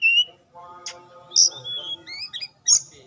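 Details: Oriental magpie-robin (kacer) lure song: a clear high whistle, scattered sharp ringing notes and short upward-slurred phrases separated by brief pauses, over a soft steady tone.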